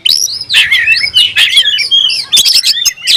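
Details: Oriental magpie-robin singing hard with its tail open, provoking a rival: continuous loud warbling of sliding whistled notes and sharp chips with barely any pause.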